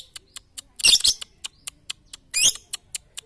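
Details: Lovebird training song for morning, noon and night: two bursts of shrill, warbling high chatter about a second and a half apart, separated by faint evenly spaced ticks.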